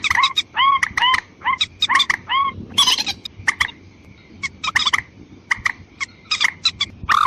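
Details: White-breasted waterhen lure call aimed at females and males: rasping, slightly upswept croaks in fast clusters, a short pause midway, then sparser sharp notes, over a faint whine.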